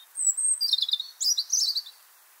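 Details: European Robin song, a bird that sings even in winter while defending territory: a clear, pearling phrase opening with a high thin whistle, then tumbling down in quick, tremulous, accelerating notes, repeated twice; quiet background.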